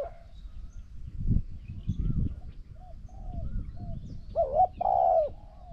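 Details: Spotted dove cooing while a decoy bird challenges a wild bird. Faint soft coos at first over low rumbling and rustles, then one loud phrase of a short coo and a long wavering croo, with a quieter note after it.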